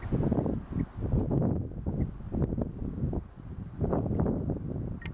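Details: Buffeting wind noise on the microphone with rustling and no clear animal call.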